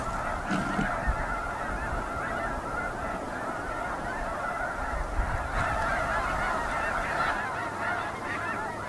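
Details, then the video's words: Dense flock of snow geese (Chen caerulescens) giving a constant chorus of nasal, barking honks, many overlapping calls every second in a steady wall of sound. "雪雁/Snow Geese"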